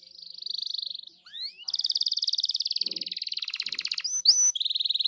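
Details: Canary song used as a lure to set another canary singing: a steady high trill, a rising sweep, then a long rapid buzzy rattle, short sharp notes and a final fast trill.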